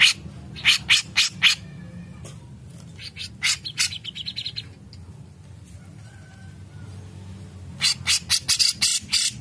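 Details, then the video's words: Grey-cheeked bulbul song used as a master recording for training songbirds: three clusters of loud, harsh, rapid chattering notes separated by quieter gaps, with a low background hum. "Cucak jenggot Mantul Ampuh jadikan masteran burung kicau"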